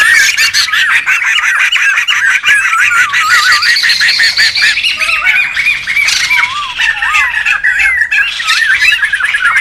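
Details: Wild laughingthrushes, noisy and many-voiced, recorded for bird luring and tutoring: an unbroken tangle of warbled whistles and harsh chatter, with lower slurred notes standing out toward the end.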